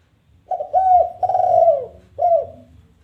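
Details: Spotted dove giving a challenge call meant to draw other doves into calling: a single phrase of three husky coos, the middle one long and sliding down, the last short and dropping.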